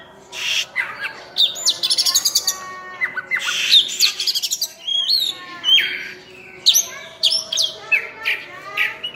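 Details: Oriental magpie-robin, locally burung cincim pala, singing a rich medley: a rapid buzzy trill, slurred whistles sweeping down and up, and sharp scratchy notes in quick succession.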